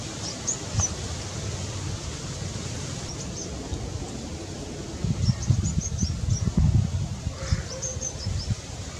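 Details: A male Vigors's sunbird singing in human landscapes of Goa, giving brief clusters of very high, thin twittering notes every few seconds, faint over steady low rumbling wind and rustling.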